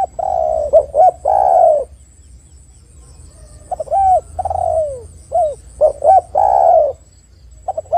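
Spotted dove cooing in soft, mellow, low notes strung into short phrases with brief pauses between; a faint steady high whine runs underneath.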